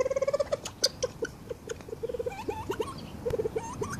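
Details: Reeves's pheasants in an aviary, recorded by a camera trap, give a fast run of nasal, clucking notes, then slower spaced clucks mixed with short, squeaky upslurred chirps.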